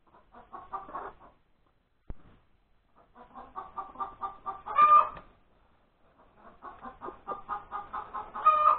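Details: Hen that has just laid an egg, recorded at breakfast time on January 31, 2021: a stuttering series of quick clucks, a single sharp click, then two loud stretched squawks ending each cluck sequence.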